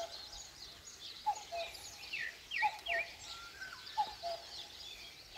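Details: Dawn in the Korean countryside with a common cuckoo repeating its descending two-note cu-coo three times, roughly every 1.3 seconds, while other birds chirp and whistle higher up.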